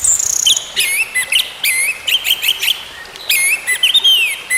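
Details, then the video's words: Orange-headed thrush song played as therapy to get a silent bird singing again: high, varied phrases of sharp whistled slurs and rising and falling notes, in bursts separated by short pauses. "TERAPI ANIS MERAH MACET BUNYI, BERTAHAP KEMBALI GACOR"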